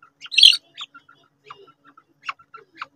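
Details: Quail fight: a loud, harsh squeak opens, then sparse short chirps and clicks spaced irregularly, several sharper notes near the end.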